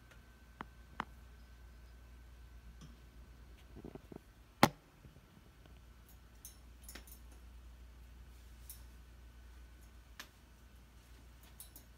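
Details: A quiet room with a low hum, a steady faint tone and a few scattered clicks and taps. No animal voices stand out.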